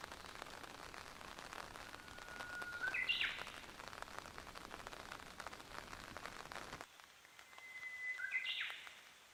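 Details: Japanese bush warbler singing at Tenjinyama Park, Miyazaki, Japan, on 2 June 2015: a long steady whistled note ending in a quick rising flourish, given twice a few seconds apart over a constant rain-like hiss.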